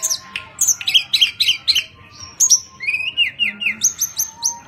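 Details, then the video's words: A mountain tledekan (Sunda robin) from Java, kept as a songbird, sings in full voice as a lure for other birds: a lively, varied song of high, quick chipping notes and slurred whistles, with short bursts repeated several times a second. "Burung Tledekan gunung gacor NYENGKLAK cocok untuk mancing bunyi"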